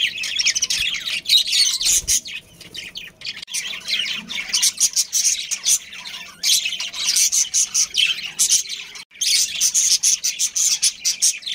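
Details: Budgerigars, a breeding pair within a captive family colony, keep up dense overlapping chirps and scratchy squawks, high and bright, in quick irregular bursts with a short lull near the ninth second.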